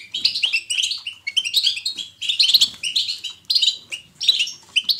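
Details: European goldfinch batbata, the natural lively twittering song. It comes in rapid bursts of liquid chirps and twangy notes about one second long, split by brief pauses.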